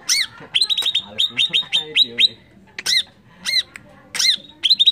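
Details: Greater green leafbird singing a lure song to stir other birds to anger: dense runs of sharp high chips alternate with loud arching squeaks, then a fast burst of chips at the end, with faint low voices behind.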